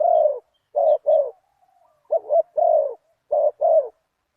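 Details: Big-voiced, one-kuk spotted dove calling while luring a target bird. It repeats a deep, rounded phrase: a long coo, then a quick clipped pair and a drawn-out note. There is no other clear sound.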